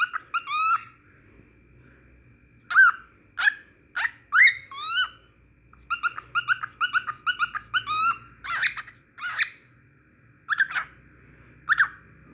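A cockatiel sings a warbled run of short whistled notes, some rising and sliding.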